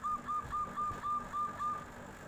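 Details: Local zebra dove calling back as a tofu seller goes by, nyuling style: seven short, even, whistled cooing notes repeated steadily about every third of a second over light background hum.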